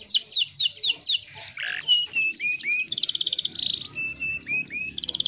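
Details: Female canary in breeding condition singing to lure a male, Indonesia: a quick mix of high downslurred whistles, buzzy rattling rolls, a short low burr, and clipped rising notes in varied phrases.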